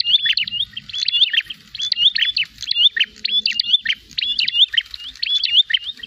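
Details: Prinia calling to challenge a rival, with dense, repeated phrases of high sharp chirps and twisting whistles, almost continuous, over a quiet background.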